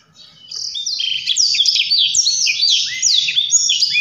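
A Black-throated Canary pours out a fast, unbroken warble of high, sweet twitters and slurred whistles, swooping up and down without pause.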